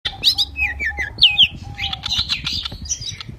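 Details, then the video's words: Pied bushchat, locally called a mini magpie-robin, singing actively while spreading its wings: quick high chirps and short downslurred whistled notes in rapid runs, with a steady faint low tone and a low hum underneath. "decu/kacer mini gacor buka sayap"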